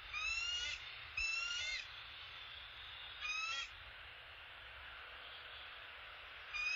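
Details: Male bald eagle bringing an opossum to the nest: three bursts of high, thin, squeaky notes with bright harmonics, each lasting under a second, separated by pauses, with a fourth starting at the end over a low, steady background hum.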